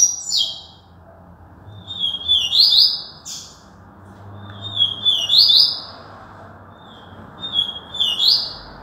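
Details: Yellow-bellied seedeater from Alagoas singing four high twittering phrases, roughly every two and a half seconds. Each phrase opens with a level whistle, then breaks into rapid, slightly buzzy up-and-down notes, with quiet pauses between.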